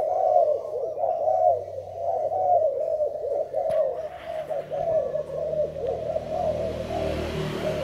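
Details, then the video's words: Thai zebra dove cooing, recorded 19 April 2019: a steady stream of soft, rapid, staccato coo notes, low and rolling, repeated almost without pause for the full eight seconds, with a faint background hum. "Cu gáy thailan"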